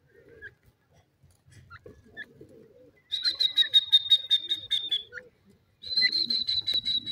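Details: Francolin kept as a bird that felt dizzy, giving fast runs of high, ringing, pulsed notes that slide slightly downward, over low rustling and faint background noise.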